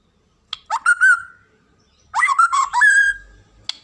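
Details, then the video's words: White-rumped shama, a well-known cage bird in Indonesia, singing two loud phrases of quick fluty notes, each ending in a long sustained whistle, with sharp clicks before and after. "KICAUAN MURAI BATU INI"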